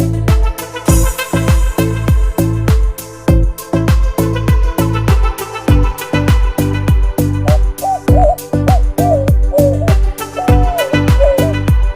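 Music throughout, with a steady rhythmic beat, harmonic instrumental tones and a wavering melodic line; no animal sound comes through.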